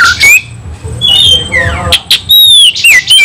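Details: White-rumped shama in a fighting mood, singing intensely: loud whistled notes sweeping up and down, sharp clicks and harsh bursts, with fast varied phrases and brief pauses.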